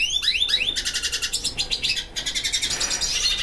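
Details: A captive male Hooded Siskin placed with a female for mating gives a rapid, high twittering song of buzzy, repeated chirps and trills, several notes per second, in a busy, continuous run.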